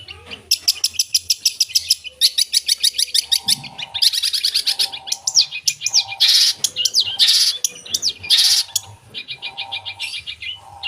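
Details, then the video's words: Long-tailed shrike singing energetically with a full repertoire of filler phrases: fast rattling trills of high repeated notes, then varied chattering bursts and sharp whistled slurs, with a faint low hum beneath. "Suara Burung Cendet Gacor full Isian"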